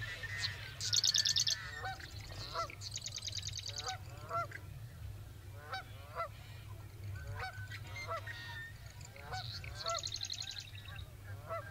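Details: Marsh wrens during their spring mating ritual in central North Dakota, late May 2022, singing short, rapid, buzzy rattling trills with harsher chattering notes between them, over a steady low rumble.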